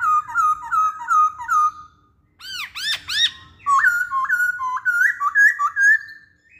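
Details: Masked laughingthrush song used as a lure to prompt other songbirds to sing: a run of five rich whistled phrases, a burst of loud arched notes, then a series of rising-and-falling whistles repeated about twice a second.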